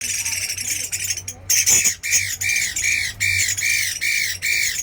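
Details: Chinese hwamei put through a fighting trial, giving loud, harsh, squawking arched notes repeated about every half second, each rich and buzzy, with a brief noisy burst midway.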